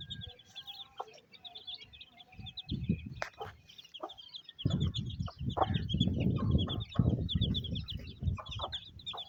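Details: In a Pakistani village on a rainy day, a hen feeds her chicks. Steady thin peeping from the chicks carries throughout. Scattered clucks come in the first half, and heavy low rumbling fills the second half.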